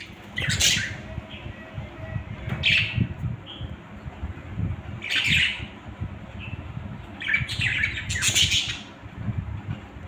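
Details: Budgies giving separate short harsh calls and chirps every couple of seconds, with a burst of several calls near the end, against low rumbling noise.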